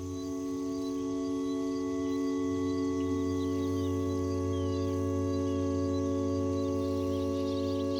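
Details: Steady ringing tones of a singing bowl layered with soft ambient music, with no clear animal voice heard.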